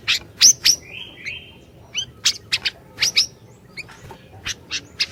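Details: Song of an orange-bellied leafbird, meant to lure a silent bird into singing: loud high sharp notes, short flat buzzy whistles, then a steady run of quick high chips and rising whistles.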